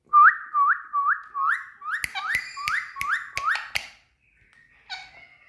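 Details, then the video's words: Indian parrot at play indoors, giving a series of about eight short rising whistles repeated quickly, followed by several sharp clicks and a final brief whistled note. "Indian Parrots🎊Playing Time"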